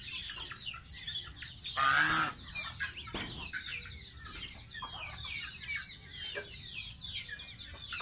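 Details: Young pet goose taking a bath, uttering many shrill descending peeps, with a loud splash near two seconds and a softer one just after three.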